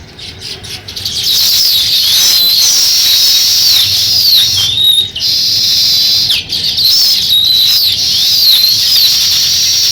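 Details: Sparrows chirping while beginning to build a nest: a busy, unbroken chorus of shrill, overlapping chirps and twitters with brief gaps, high-pitched and steady throughout.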